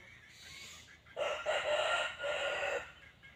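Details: Crow of a red junglefowl: one harsh, raspy crow in three linked phrases lasting about two seconds, rising out of a quiet, hissing background.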